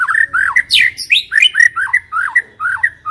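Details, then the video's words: White-rumped shama singing, used to coax shamas that are not yet singing into responding: a loud, rapid, continuous run of looping whistled notes with sharp high upsweeps mixed in, varied phrases following without pause. "Pancingan murai yang belum bunyi, sekali klik Auto nyaut"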